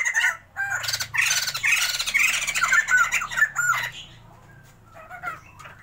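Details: Two caged Sumatran white-crested laughingthrushes in a breeding trial give a loud, dense squawking outburst for about three seconds, then fade to softer scattered calls over a low hum.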